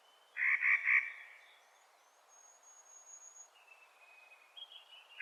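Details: Three loud, coarse, grating notes from a Clark's nutcracker in spring, followed by faint thin whistles from a distant bird.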